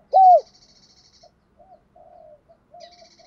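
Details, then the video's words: Spotted dove in the 'giọng đồng pha thúc bổi' style gives one strong arched coo, followed by soft, low repeated notes. Faint high chirps from other birds are heard at the start and end. "tieng chim cu gáy giọng đồng pha thúc bổi"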